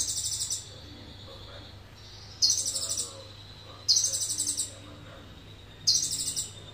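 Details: Sunbird of Indonesia singing cililin-filled song: a string of sharp, rapidly stuttering high trills, each roughly three-quarters of a second, repeated about every one and a half seconds, with a quiet hum underneath.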